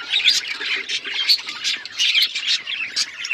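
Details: Budgerigars twitter in a lively pet group, rapid high chirps and scratchy warbles coming in pulsing bursts about every half second, without a break.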